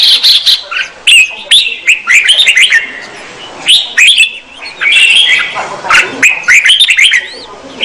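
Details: Female red-whiskered bulbul singing to stimulate a male, loud clustered chirps and warbles in irregular bursts over a light background hiss.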